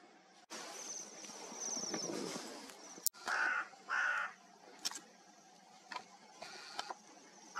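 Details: A crow in a snowy forest on a January morning gives two harsh, hoarse caws about half a second apart. Softer rustling and faint high chirps from other birds, likely tits, surround them.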